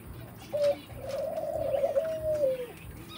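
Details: Red golden pheasant, three months old: a short whistled note, then one long, clear, steady whistle lasting about a second and a half that trails off slightly downward, over faint background hiss.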